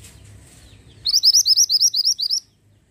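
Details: Pied bushchat in persistent song: a fast, even run of about twelve high, sharp, hooked notes lasting around a second and a half over a faint low hum.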